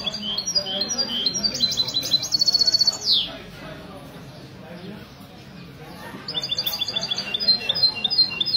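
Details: Mesto goldfinch hybrid from a goldfinch club, caged, singing in a café in Ksar El Kebir on a Sunday morning, 16/02/2020; rapid metallic trills with a long, loud, buzzy rattle, a quiet gap, then renewed chirping over murmuring voices.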